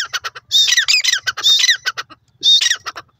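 A francolin gives loud, harsh, grating squawks in three bursts about a second apart, each led by shorter clicking notes.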